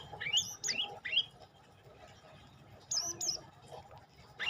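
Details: Olive-backed tailorbird giving three loud upslurred notes, a silent gap, then two more high notes and a final sharp rising note, with little background noise.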